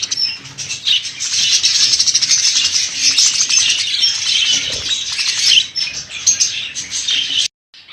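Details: A group of budgerigars chirps and warbles in a busy high chorus with occasional harsher squawks, ending in abrupt silence.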